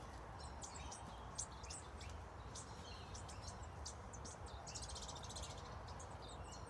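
Scarlet honeyeaters give high, thin tinkling chips in quick scattered bursts throughout, over a steady low rumble of wind or distant noise.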